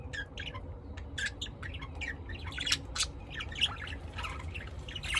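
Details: Lovebirds bred and kept at home in Austin, Texas, USA, giving harsh, scratchy squawks and chirps in quick irregular bursts, some louder shrieks near the middle, over a low steady background hum.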